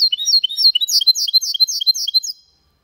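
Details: A hybrid of goldfinch with canary sings cleanly, copying the Malaga style, in 2022: high, sharp twittering phrases repeated rapidly, growing slightly louder mid-phrase, then ending abruptly into silence.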